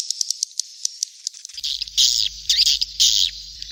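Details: Calls of young swiftlets used to attract swiftlets to stay overnight: quick high ticking chirps at first, then louder rasping buzzy bursts over a faint low hum.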